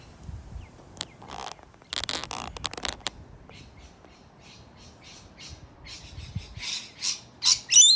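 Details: Wild rainbow lorikeets visiting a balcony in Melbourne, Australia, bickering among themselves: harsh, buzzy screeches in bursts, a dense cluster early on, softer scratchy chatter in the middle, then loud piercing squawks building toward the end.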